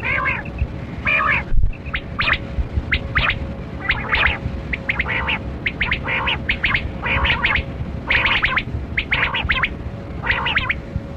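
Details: Quail known locally as Kali Kirak batera, recorded around hunting: grouped raspy, chattering notes repeat in short runs over a constant drone, with soft high double pips and one sharp knock early on.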